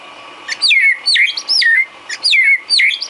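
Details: White-rumped shama singing filler song for training cage birds. Loud, clear whistled phrases loop high and then glide down, repeated about three times a second with brief gaps between them.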